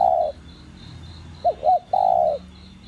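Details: Spotted dove cooing in the standard đồng gù voice, used to stir other doves to call: a long low coo tail, then two short arched notes and a long steady coo, over a faint, steady, pulsing high chirr.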